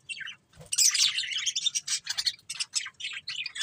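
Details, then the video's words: Budgies chirp in rapid rhythmic chatter: a short soft note, then a steady run of bright, buzzy warbles and squeaks repeated in quick pulses. "Beautiful Budgies Chirping Sounds"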